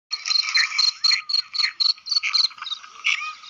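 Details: Female grey francolin calling: a rapid, busy series of short chirpy notes with a steady high ringing tone, repeated several times a second for about three seconds, with no other clear sounds.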